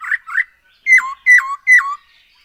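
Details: Black-throated laughingthrush, a lure recording meant to spur other birds into song: two rough rising notes, then three loud harmonic whistles, each starting high and dropping sharply in pitch.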